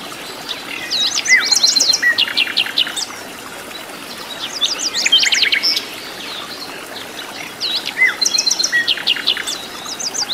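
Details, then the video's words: Wild flycatcher (sikatan londo) in its natural habitat, singing vigorously: dense bursts of fast, high chirping phrases separated by short pauses, repeated three times. "KICAU BURUNG SIKATAN LONDO GACOR DI ALAM LIAR"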